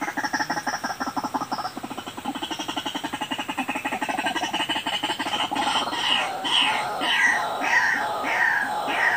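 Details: White-breasted waterhen lure call used to attract birds: a fast, steady run of rhythmic pulsed notes, then a series of harsh, repeated notes spaced about every half second toward the end. Constant background hiss.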